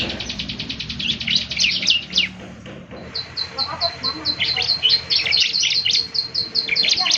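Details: Energetic Bar-winged prinia song meant to make other prinias answer during morning playback: rapid buzzy trilled phrases and high chirps, pausing briefly, then resuming with clipped repeated notes; faint low warbling sounds underneath.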